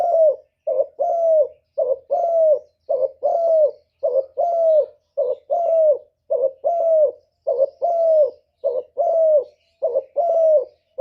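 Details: Decoy spotted dove cooing continuously to attract and provoke wild doves: evenly spaced double coos, a short note followed by a longer falling one, about once per second, clean and quiet.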